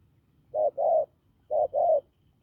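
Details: Two low, husky double coos from a hoarse-voiced, wild-caught spotted dove, each a short note followed by a longer one, separated by a quiet gap.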